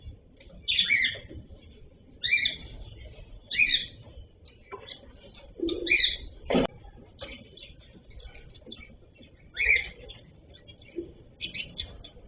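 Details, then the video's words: Cockatiel calling in a loose series of harsh, raspy chirps, some doubled, roughly one every second or so, with a faint low coo in the background. "Cocktail parrot voice"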